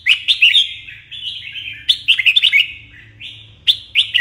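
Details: Morning song of a red-whiskered bulbul, used to train fiery competition singing: lively warbled phrases of chirpy, slurred whistles separated by longer smooth notes, repeated about every second or two over a faint hum.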